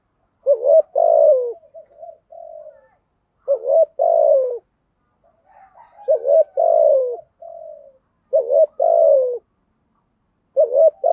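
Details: Spotted dove cooing in the earthy-voiced style, used to rouse other doves: low, mellow two-part coos, a short hooting note then a longer falling one, repeated in four phrases about every two and a half seconds against silence.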